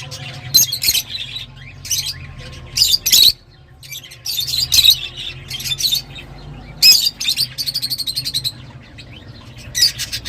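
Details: Several lovebirds calling, with shrill squeaky chirps in bursts separated by short pauses and a rapid trill-like chatter near the end, all over a faint low hum.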